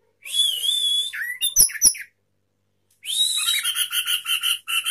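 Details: Orange-headed thrush in a cage delivering sapu jagat song with open tail: a sustained piercing whistle with a wavering lower note and sharp clicks, then after a pause fast repeated high chirping notes.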